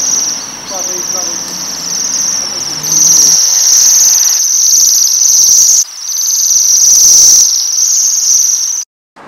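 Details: Waxwings feeding on rowan berries keep up a loud, very high metallic trilling in long bursts, with soft low sounds early on, ending abruptly.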